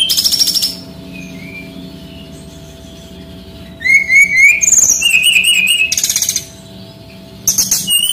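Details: Song of a male Bali brown-chested jungle flycatcher, used to train young birds: a buzzy trill opens, then after a quiet spell come rising whistles, a warbled phrase and further dense trills.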